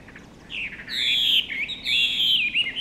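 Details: At Komiya Park, a Chinese hwamei gives loud, rich whistled phrases, slurring up and down with a bright ringing tone, in two bursts over a quiet background.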